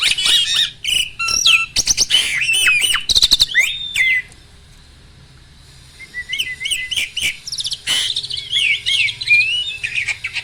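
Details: Captive adult male Asian pied starling in stable breeding condition, pumping while it sings: a dense burst of harsh chatter, clicks and whistles, a pause, then softer rising whistles and squeaky notes.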